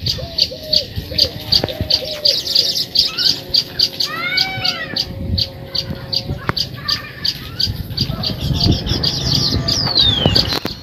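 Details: Baya weavers at their newly built hanging nests chatter in a steady run of high, sharp chirps, several each second, with a few lower whistled notes and a rustling background.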